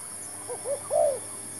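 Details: One cooing phrase from a decoy spotted dove during trapping: a soft short note, a rounder second note, then a louder drawn-out coo that falls away, with a continuous thin high hum.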